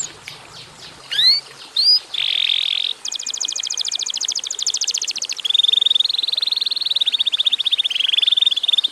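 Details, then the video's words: Canary in full, lively song, recorded as a short lure to set other canaries singing: two rising whistled sweeps, a brief buzzy trill, then a very fast high rattling trill lasting about two seconds, followed by long, rapid, pulsing trills. "kenari gacor durasi pendek cocok buat pancingan kenarimana pun lansung Yau gacor do"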